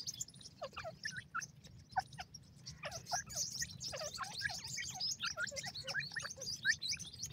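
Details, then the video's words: Grey francolin chicks being fed: many short, high chirps and squeaky notes, some sweeping down, overlapping in a busy chorus, with a steady low hum underneath. "teetar baby, teetar bird, teetar chicks feed"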